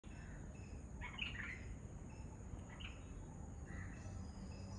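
Red-vented bulbul giving a few short, bubbly chirps around one and three seconds in, over steady low background rumble.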